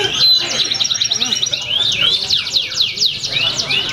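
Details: Canary singing at a bird-song competition in Pringsewu, Indonesia, on 22 September 2019, where it earned a champion nomination. It gives rapid high chirps and downward-sweeping whistled trills in quick bursts, with faint voices in the background.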